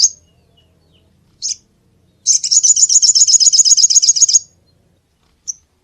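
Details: High, thin sunbird call for luring other birds: a rapid two-second trill of fast, evenly spaced buzzy notes, with single sharp high chips before and after.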